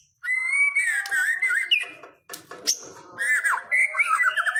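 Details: Lure recording of white-rumped shama song intended to get a pet bird singing eagerly: after a short silence, rich sustained whistles waver and dip, broken by a pause, then resume with twisting whistled phrases and sharp high clicks.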